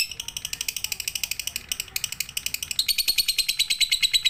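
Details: Lovebird singing in the full pigter style, offered as a night-time training recording for other birds. Long, rapid trains of high, scratchy chirps, about three notes a second, with a brighter, steadier tone in the last second.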